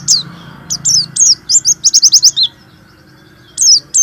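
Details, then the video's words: Warbling white-eye singing at dawn or night as a therapy to stir lazy, unmotivated white-eyes into song: very high, sharp chirps, then a rapid run of quick trilled notes, a pause, and two more chirps over a faint steady hum. "terapi pleci malas bunyi,pancingan pleci kurang emosi"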